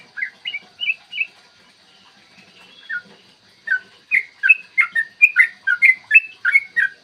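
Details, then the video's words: Yellow-vented bulbul in its 'ropel' song, recorded in the morning as a lure to make bulbuls sing and fight. Three whistled notes, then a quiet gap with a lone note, then a fast, excited run of bubbly whistles. "trucukan gacor TARUNG ROPEL PANJANG pancingan trucukan agar BUNYI dan EMOSI"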